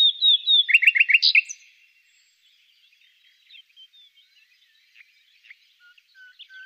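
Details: Song of the secretive common nightingale, captured during a thermal survey: clear slurred whistles lead into a rapid, loud, stuttering trill, followed by scattered faint chirps and thin notes.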